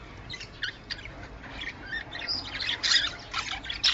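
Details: Budgerigar warbling for breeding stimulation, quieter and more distant: scratchy chirps and squeaks that grow busier and louder toward the end.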